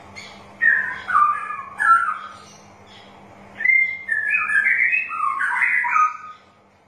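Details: Song of a straw-headed bulbul played to stimulate birds that refuse to sing: three separate warbled bursts, a pause, then a longer rich run of bubbling, sliding whistled notes.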